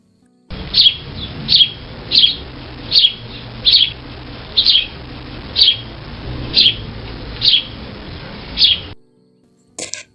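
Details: A sparrow sings, giving about eleven bright, high chirps, one every second or so, evenly spaced over a low steady hum.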